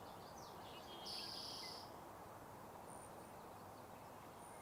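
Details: A Spotted Towhee in bushes at Sargeant Bay Provincial Park, British Columbia, on an April 30 morning gives a single high, buzzy call under a second, then a few faint thin notes over steady background hiss.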